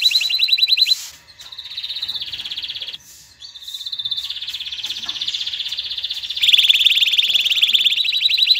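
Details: Singing canary used to stimulate mating and train young birds: a chain of distinct trill tours, fast pulsed rolls alternating with smoother held passages, brief pauses between, closing with a loud rapid rattle.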